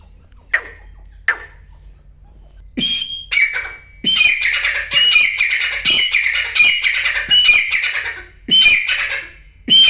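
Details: Grey francolin, wild, calling: loud harsh repeated squawking phrases with ringing metallic notes, in bursts with short pauses, preceded by a few sharp clicks.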